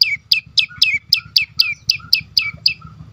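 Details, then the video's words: Prinia song, prenjak lumut, played to coax other birds to sing: evenly spaced sharp high chirps with falling tails, about four per second, over faint low rumble. "full Dorrr prenjak lumut lain makin tergoda berbunyi sangat ampuh untuk pancingan burung bisu"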